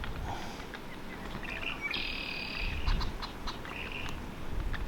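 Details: A Western Grebe in a courting colony on a prairie pothole lake in central North Dakota, on a windy spring morning, gives high, drawn-out, slightly grating whistled notes, one long and a shorter one after, over steady low wind and water rumble.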